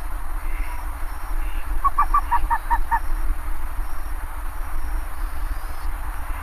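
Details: A single rapid burst of around seven clipped, goose-like honking notes from a bare-faced ibis, slightly dropping in pitch toward the end, amid steady low-frequency background noise.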